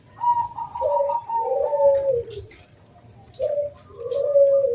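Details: Local zebra dove singing as a lure for other doves: soft layered coos, a higher steady note over a lower falling one, then a pause and two more mellow coos.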